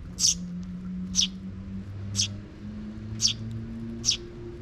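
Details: Sparrows in a park, 12 June 2023, parent scouting before its young chick follows: five short high chirps about one second apart, with steady low droning tones underneath.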